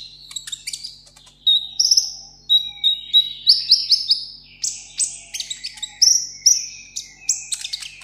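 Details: A caged sunbird singing in solo competition gives bursts of very high, thin, rapid twittering notes with sharp trills, repeated about every second, over a faint low hum.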